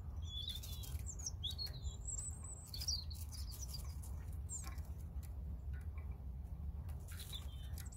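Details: European robin giving short high whistled phrases with bending, wavering notes in the first three seconds, then only sparse faint notes against a constant low noise bed.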